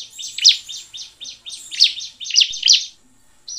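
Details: Energetic Bar-winged prinia song meant to prompt other prinias to sing: a steady series of high, buzzy chirps with louder sharp accents, ending in a brief pause.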